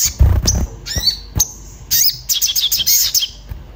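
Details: An emotional orange-bellied flowerpecker calling for a companion as a lure: a few thin high chips after low thumps, then a fast chattering series of shrill notes.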